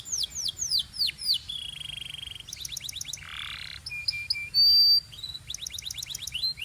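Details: Canaries singing together, Belgian style: quick falling whistles, a sustained mid-pitch buzzy trill, clipped staccato notes, a broad rasping burst and a bright high tone before more rapid note series.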